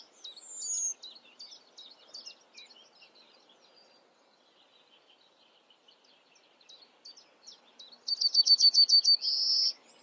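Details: A Yellowhammer (Emberiza citrinella) sings a fast run of about ten high, dry notes ending in a drawn-out thin note, with softer chirps earlier.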